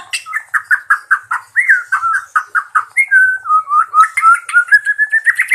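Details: White-rumped shama in energetic full-fill song: a rapid series of about a dozen short, evenly spaced mid-pitched notes, then a long wavering whistled trill that slowly climbs, with faint high ticking notes above.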